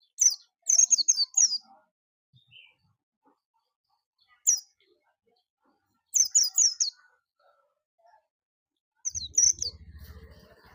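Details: Oriental white-eye of the pleci bustomi type singing in four bursts of rapid, high, sweet chirping twitters, short clustered notes with brief silences between phrases and a low rumble near the end.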